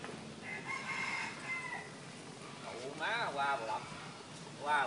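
A red junglefowl gives a drawn-out, strained crow, followed by shorter wavering calls. A steady background hiss runs throughout.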